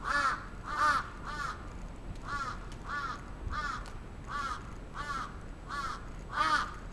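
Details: Crows on the attack in Atsubetsu Ward, Sapporo, 27 June 2017, cawing rapidly and harshly, about ten arched calls in seven seconds, some louder and closer than others.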